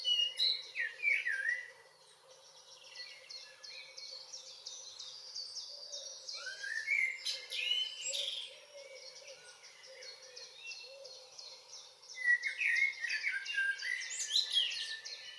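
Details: June evening in northwest Zealand, with a common blackbird delivering three separate warbled, fluty phrases that break into twittering, about five seconds apart. Dense high-pitched chirping from other birds continues throughout, and a faint low hum sits underneath.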